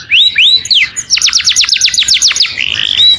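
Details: Canary calling its companion, voice clear: two arching whistles, a burst of steep falling notes at about ten per second, then a soft buzzy trill and a level whistle.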